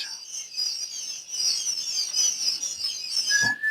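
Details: Day-old quail chicks on their first day in a brooder, a dense chorus of high, thin peeps overlapping continuously, with a brief steady whistle-like tone near the end.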